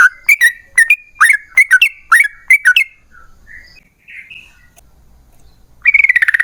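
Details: Yellow-vented bulbul singing, used to draw other bulbuls into song: a quick run of bubbly whistled notes with upward flicks for about three seconds, a quiet pause with faint soft notes, then a rapid burst of chattering.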